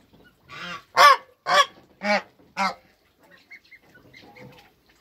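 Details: Toulouse goose mother with day-old goslings in a backyard, alongside African and Toulouse hybrid geese. Five loud nasal honks come in quick succession, then faint soft sounds in near quiet.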